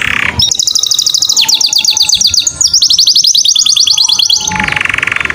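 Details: Canary song played as a lure to prompt other birds, female or male canaries, to sing: rapid, bright trills of repeated high notes in several runs, with rough broadband bursts at the start and end.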